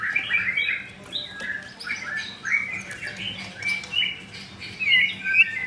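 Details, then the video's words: Caged captive-bred white-rumped shama from Jakarta producing a busy, chattering medley of short whistles and clicks that shift up and down in pitch, with brief pauses between bursts. "4 Murai Batu - Ada Pastol"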